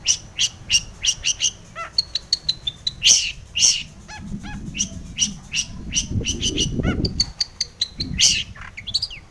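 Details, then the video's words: Long-tailed shrike lure song meant to provoke shrikes into singing: dense run of sharp clicks, chirps and brief high whistles in quick succession, with a burst of low rustling noise midway. "SUARA cendet gacor full isian pancingan cendet agar bunyi"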